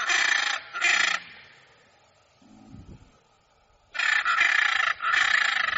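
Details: Hyacinth macaw screeching: two harsh squawks, a pause with a faint low sound, then three more rough, grating calls run closely together.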